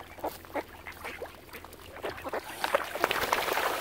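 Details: Ducks crowding a swan family on Lough Neagh, Oxford Island, Ireland, start with sparse, quiet quacks, then break into a louder, busier burst of raspy calls toward the end.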